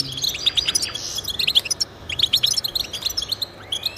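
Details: Goldfinch song meant to encourage goldfinches to sing: rapid, tinkling high twitters in quick bursts, with short buzzy notes between them and almost no background noise.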